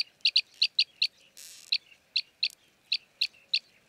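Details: Arabian green bee-eater perched in Jeddah, Saudi Arabia, chirruping in short high notes about three a second, with one brief burst of broadband noise in the middle.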